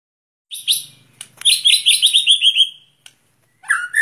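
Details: Shama kept outdoors for breathing practice sings a fast, bright, descending trill of rolling chirps, then a short burst of varied high whistles after a brief gap.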